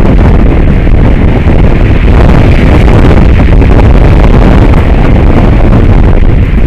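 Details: Loud, constant low rumble of wind buffeting the microphone, like a passing engine, with no animal voice audible.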